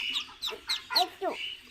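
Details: Muscovy ducklings (chicks) on a farm in Kamrup, Assam, give high, thin peeps that slur downward, about four or five in quick succession, over a faint steady whine.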